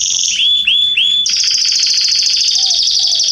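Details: Canaries singing in a garden, September 2020; three rising whistled notes lead into a fast, loud rolling trill, with a couple of soft low notes near the close.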